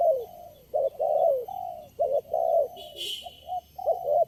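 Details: A lone wild spotted dove answers lure birds at a trapping site with long, drawn-out husky coos and clipped shorter notes. A short higher rustle or click is heard midway.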